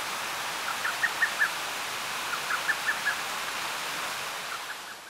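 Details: Lesser cuckoo in Toki, Gifu Prefecture, Japan, giving two quick phrases of four or five loud, emphatic notes each, with a fainter phrase after, over steady rushing water.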